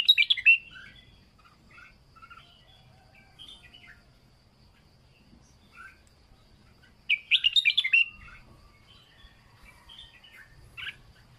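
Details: Red-whiskered bulbul song used as a training recording for caged bulbuls, in the "plai loi" style: two bursts of bright, bubbly, warbled notes about seven seconds apart, with softer scattered chirps between them.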